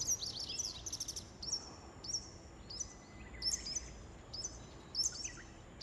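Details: A Japanese wagtail calls at 08:25 on 23 May in Shikokuchuo, Japan: bright, high chirping notes in short sharp phrases repeated about every half second, over steady background hiss.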